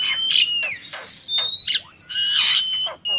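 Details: Male and female Oriental magpie-robins in a bird-luring recording: a steady high whistle bending downward, interrupted by repeated scratchy, rasping bursts and a rising sweep.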